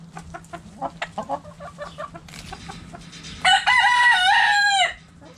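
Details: Backyard hens playing with a cabbage cluck in short evenly spaced notes, then one loud, drawn-out harmonic call holds for about a second and a half before dropping away.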